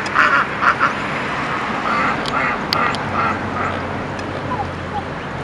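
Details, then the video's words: Black swan cygnets giving a quick run of short, high piping peeps in the first second, followed by softer scattered calls, with a low steady hum and background noise throughout. "Black Swan Cygnets"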